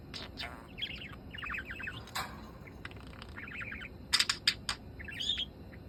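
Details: Yellow hand-tame budgerigar muttering to itself: soft, quick warbling phrases broken by sharp clicks and a few louder chirps, over background hiss.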